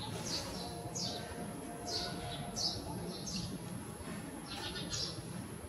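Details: Grey-streaked flycatcher at close range with short, sharp, high-pitched call notes spaced about a second apart, some doubled, against constant low background noise.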